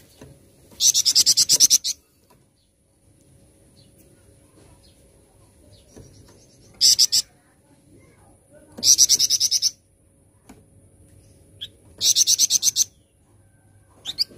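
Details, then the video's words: Flamboyan bird singing loudly (gacor): four loud bursts of very rapid, high, buzzy repeated notes, each lasting about a second, separated by quiet pauses of a few seconds with faint background hiss. "Burung Flamboyan Gacor Dorrrr"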